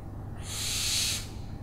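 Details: Short rasping owl screech, a single breathy hiss of roughly three quarters of a second, swelling then cutting off, over faint low rumble.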